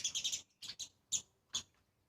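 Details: Two adult sparrows with their two young visit a seventh-floor spot among trees to eat grains; a quick run of four high, bright chirps is followed by three separate sharp chirps spaced about half a second apart.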